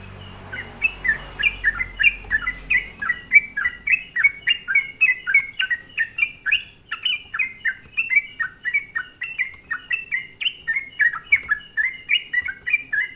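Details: Sooty-headed bulbul song used as a lure to provoke other bulbuls: a long, steady run of bright, chattering two-note phrases, each dropping in pitch, repeated about three to four times per second with little pause.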